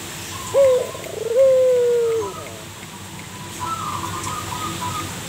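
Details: Singing local zebra dove kept as a lure bird gives a rising purring note that runs into a long, smooth, slightly falling coo, then a softer trilled phrase follows against a quiet hiss.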